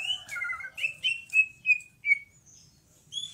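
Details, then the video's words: Song of a greater green leafbird: a series of short, bright whistled notes in quick succession, some slurred downward, followed by a pause and a high rising whistle; steady low background hum. "Burung cucak ijo gacor"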